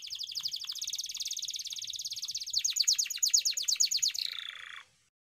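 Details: Canary performing a long rolling ngeroll song as training audio for canaries that are lazy to sing: a fast continuous trill of high repeated notes swelling in volume, ending in a lower buzzy phrase before silence.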